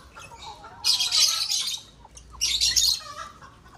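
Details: Lovebirds breeding in an aviary, giving two bursts of shrill, high, rasping chatter about a second and a half apart, over a low background hum and faint softer twittering.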